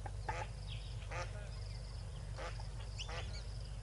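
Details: Yellow-billed duck accompanied by six ducklings at Tau Waterhole, 12 February 2022, late afternoon; a few spaced, harsh nasal quacks with faint high peeps between, over a constant low rumble.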